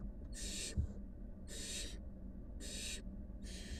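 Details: Barn owl nestlings, five wild young with their mother; four noisy hissing screeches, each roughly a third of a second, repeated about once a second, with a soft low hum beneath.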